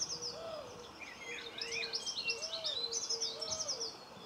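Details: Common linnet filmed close up in a garden in Cornwall on 26 November 2015, giving rapid high twittering and chirping notes, with steady low hooting or cooing tones from another bird repeating underneath.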